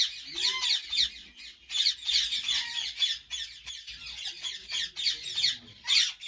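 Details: Ringneck parrots at a large breeding farm in Pakistan, a chorus of many birds giving harsh, high, overlapping squawks and screeches in continuous bursts, with a few short rising whistles.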